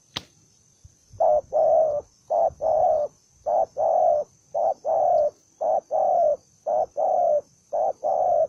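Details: A single aggressive, combative spotted dove, an unmated bird, calls over and over. Each call is a pair of low cooing notes, short then longer, repeated roughly every second. A steady faint high whine runs underneath.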